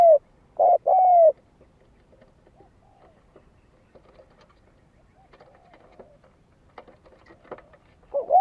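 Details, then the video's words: Spotted dove lure song: a loud paired coo at the start, a long stretch of faint clicks and soft distant notes, then another coo beginning at the very end. "Tiếng chim cu gáy kích mồi cực sung"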